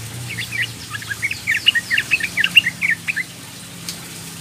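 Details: Calling young female sooty-headed bulbul, meant to attract males: a chattering string of quick bubbly chirps lasting about two and a half seconds, then silence with low background hum.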